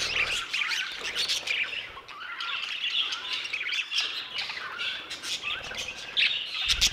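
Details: Budgerigars in an aviary chattering: scratchy squawks, slurred whistles and rapid chirps from several birds at once, with a loud knock near the end.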